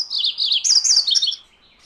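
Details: A MacGillivray's warbler delivers a loud, high, chattering phrase of quick repeated notes, rolling and slightly buzzy, that ends abruptly after about a second and a half, with quiet air behind.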